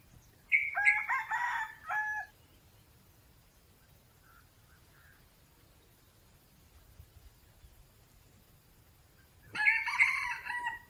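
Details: Red Junglefowl, a wild chicken perching in trees amid natural forest, crows a loud, hoarse, multi-part phrase lasting about a second and a half, then, after a long quiet pause with faint low murmurs, starts another crow.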